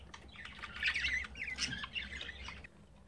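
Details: Young budgerigars, five days into daily growth with a third chick newly hatched, give harsh squawking chirps in a dense run of about two and a half seconds, then fall quiet against a constant background hum.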